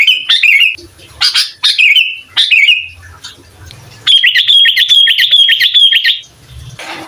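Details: Sooty-headed bulbul in full song, a master recording said to provoke rival bulbuls: three quick dropping whistled phrases, then a long fluttering trill held steady for two seconds, ending in a brief rustle.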